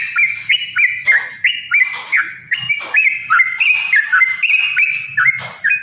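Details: Yellow-vented bulbul singing its long fighting song, meant to goad other birds into song; loud liquid phrases of dipping and rising whistled notes, delivered in quick uneven bursts with soft low rumble behind.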